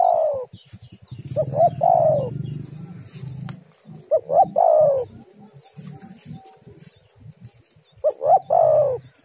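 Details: Spotted dove, known locally as tekukur or derkuku, calling to draw other doves: three phrases of loud coos, each short rising notes then a drawn-out falling coo, over a low rumbling background with faint clicks.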